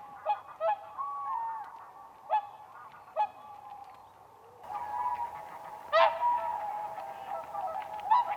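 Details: Spring whooper swans dancing on ice: spaced single honks, then a busier stretch of overlapping trumpeting with a louder, sharp call and a murmur of distant calling.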